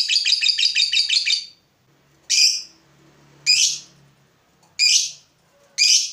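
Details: Fighter lovebird provoked by a rival runs a fast buzzy ngekek trill for about one and a half seconds, then gives four separate harsh, rasping high calls about a second apart.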